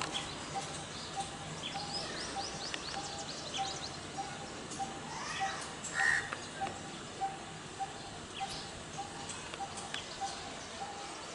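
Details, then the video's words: A coppersmith barbet gives a steady, low, hollow tuk-tuk note, repeated about every half second throughout; other birds chirp faintly in the background. "తోకోటి పక్షి అరుపులు - Sound of Coppersmith Barbet Bird"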